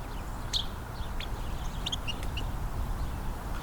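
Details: A Carolina wren, approaching the recordist near a creek bank on an off-trail walk during a winter Christmas Bird Count, gives a few short, high peeping notes spaced irregularly over low, steady background rumble.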